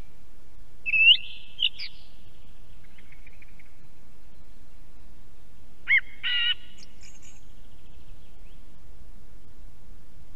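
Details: Song thrush near an osprey nest cam in Estonia: two separated phrases, each a short loud flourish of rising and buzzy notes, with a soft trill between and a faint constant hum.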